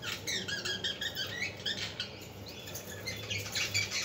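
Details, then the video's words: Budgerigar sounds for stimulating budgies: a dense, continuous chatter of short squeaky chirps, buzzy notes and brief whistles that overlap without pause for four seconds, over a low steady hum. "اصوات طيور الحب البادجي للتحفيز"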